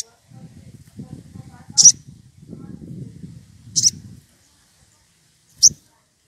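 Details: Rufous piculet in the wild, excited and calling to a rival as a lure: three sharp, high-pitched squeaks roughly two seconds apart over a low murmuring, rustling background.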